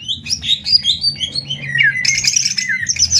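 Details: Singing duel between greater green leafbirds from Banyuwangi and Kalimantan in the 'tembak ngetrek' style. Jumbled, squeaky whistles and chatter give way to a dense, buzzy high burst with falling slurs underneath.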